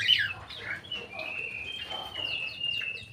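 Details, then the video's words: Crewet in an aviary: a sharp opening chirp, then a long, steady, high whistled tone held for about two seconds while softer chirps continue around it. "BURUNG CREWET"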